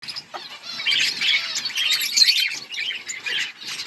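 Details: Budgerigars in an outdoor colony chirping together, a dense overlapping chatter of warbled, scratchy high notes with quick trills and squeaks, many birds calling at once without pause.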